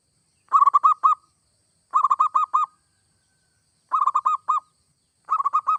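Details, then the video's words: Singing zebra dove, local or Bangkok type, a song meant to prompt other doves to sing: four phrases of six or seven quick, rolling coos each, repeated roughly every one and a half seconds, in a quiet, clean recording. "Suara perkutut gacor seperti ini AMPUH bikin perkutut anda cepat bunyi"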